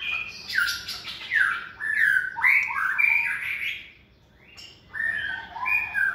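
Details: Caged white-rumped shama, hand-raised and in its second season, delivers loud warbling phrases of mixed whistles and slurs, pauses briefly, then resumes with rising whistled notes.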